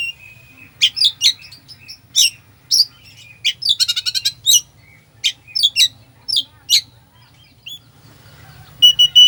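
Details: Oriental magpie-robin delivering a fill-in-laden song to provoke a lethargic bird: a sustained whistle, then quick chips, a fast rattling trill and clipped notes, ending on another steady whistle.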